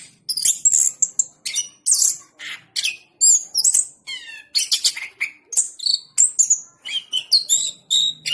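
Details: Vigorous orange-headed thrush song made of quick, high whistles, rattles and a rapid descending trill, with the bird's phrases tumbling together almost without gaps.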